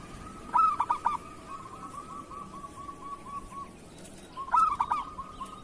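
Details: A local zebra dove sings kerot-style song meant to train other doves: a loud, choppy coo burst, a long soft rolling trill, then a second loud burst about four seconds after the first.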